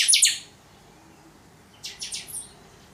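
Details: Chopi blackbird in the totonsidonso singing style: a sharp, high, ringing note, then after a pause a short run of three quick scratchy notes, with a quiet background.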